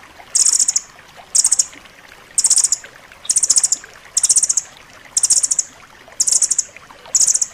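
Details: Rambatan loreng nuthatch singing in a tutor recording for pet birds: regular short bursts of rapid, piercing, high trills repeated about once per second, eight bursts in all.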